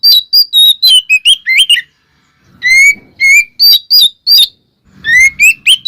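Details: Oriental magpie-robin song to provoke other magpie-robins: a quick string of bright chips and whistles, a pause, then clear rising whistled notes repeated in loud bursts.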